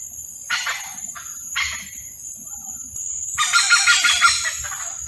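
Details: Courting hornbills make two brief, coarse, honking calls a second apart, then a long, loud, grating call with rapid pulses, against a continuous high insect-like whine.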